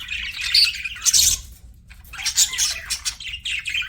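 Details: Budgies chirping in two bursts: quick high twitters and scratchy warbles, a short quiet gap, then renewed excited chatter from more than one bird.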